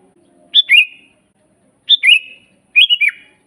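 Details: Sooty-headed bulbul used as a master recording for training other bulbuls to sing: three short bubbly phrases of a sharp note dropping into a warbled whistle near 2–3k, spaced about a second apart, clean quiet background.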